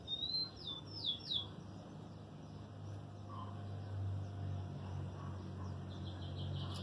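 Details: Pet lined seedeater in moult of feathers and beak, 12 November 2018, gives three loud high whistles, each sliding sharply downward, in quick succession, later a soft rapid series of short high notes over steady low hum.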